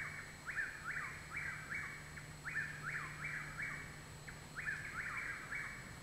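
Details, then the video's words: Overlapping whistled phrases of Chuck-will's-widows behind a home in Parkersburg, West Virginia, at night on 21 June 2019, when three birds seemed to sing together; phrases follow closely, with a steady low hum in the background. "Possibly 3 Chuck Will's Widows Singing behind my home"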